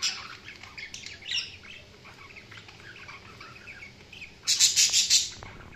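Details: Budgerigar chirping: a run of quick, thin, high chirps and short twittering notes, then a louder burst of bright, scratchy squawking chatter near the end, over a faint steady background hiss.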